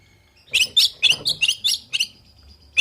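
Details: Oriental magpie-robin singing to provoke others to answer: a rapid run of about eight bright, chirping, whistled notes, evenly spaced and fairly high, then a pause and one more note at the end.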